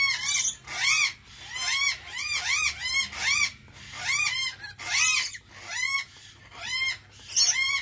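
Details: Rainbow lorikeet producing quick runs of rasping, rising-falling squeals, sometimes doubled, pausing briefly between bursts, with a few sharp high squeaks at the start and end.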